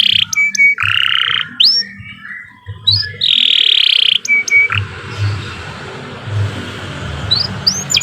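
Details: Canary in long, steady song, recorded as a tutor for other songbirds: buzzy rolled trills alternating with short clear whistles and rising upslurred notes, with gaps between phrases and a faint low hum underneath.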